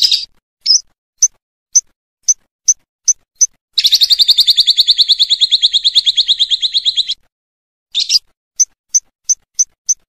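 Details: Lovebird ngekek-style training song. Sharp high chirps repeat about twice per second, then a continuous rattling trill runs for over three seconds. A brief buzzy burst follows, then more evenly spaced chirps.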